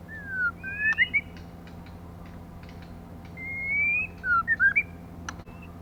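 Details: Female white-rumped shama, song used to excite males: two short bursts of clear, bending whistles about three seconds apart, the second opening with a long slightly rising note, over a faint steady hum.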